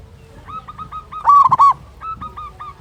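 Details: Big-voiced local zebra dove used to provoke other zebra doves into singing: soft stuttering coos around one loud, rolling burst in the middle, with quiet low background noise.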